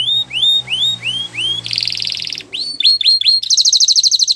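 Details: Singing canary for training young canaries: rising slurred whistles repeated about every quarter second, a buzzy rattle, sharp upswept notes, then a rapid high trill. Faint low hum underneath.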